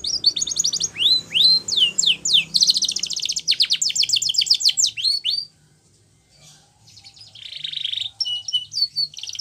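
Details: Spanish Timbrado canary training song: rapid series of sharp descending whistles and metallic rattling trills for about five seconds, a brief pause, then a softer buzzy trill and clipped notes.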